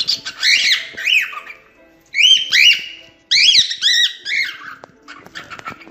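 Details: Cockatiel song: three bursts of bright, arched whistled notes with strong harmonics, each cluster quickly repeated, then a quieter tail of softer notes.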